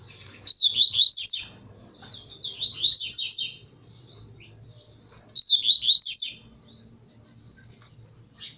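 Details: Blue-black grassquit kept by a breeder, singing a loud tui tui zel zel song learned from seedeaters while disputing with them. Three separate bursts of quick, high, warbling slurs, with soft low hum between phrases.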